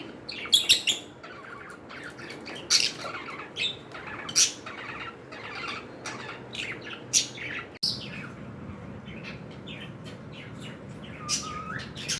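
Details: Pet cockatiels indoors, giving sharp high chirps and short squawks in irregular bursts, with a soft background hiss and one brief rising whistle near the end.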